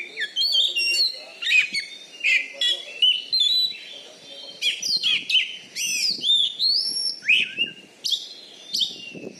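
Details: Loud competition Oriental magpie-robin (kacer) from Bengkulu, a caged champion with a special fighting style. Continuous varied song: shrill whistles, upward-sweeping slurs and scratchy chips in quick succession.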